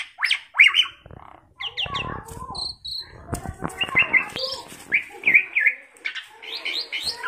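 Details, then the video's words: Tame, talkative Asian pied starling used to prompt other birds into song delivers scratchy chatter, buzzy clicking runs and short whistled phrases in uneven bursts. "Burung jalak suren jinak dan cerewet||Masteran pancingan auto gacor"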